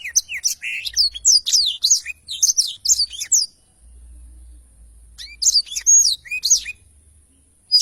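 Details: Lively long-rolling song ('ngerol panjang') from a black-throated canary in a clear training recording: about three and a half seconds of quick high, varied notes, a pause, then a shorter burst of bright twitters.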